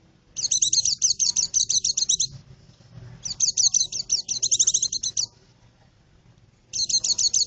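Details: White-eye song for attracting birds in forest: three long runs of rapid, high, sharp twittering notes, separated by short pauses.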